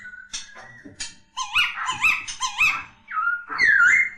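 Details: Kept laughingthrush (poksay) giving a short burst of wavering, warbled whistles and slurred notes, a few harsher squeaky notes mixed in, ending with a loud rising then falling whistle.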